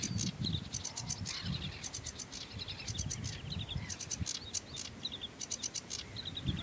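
A sedge warbler sings a fast, scratchy, chattering song of varied phrases, with sharp repeated notes and quick trills, over a steady low rumble of wind.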